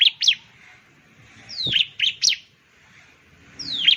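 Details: High, piercing bar-winged prinia (ciblek) notes: two quick slurred chips, then a long falling whistle with a sharp chip after a pause, and another falling whistle at the end. The gaps between phrases are quiet.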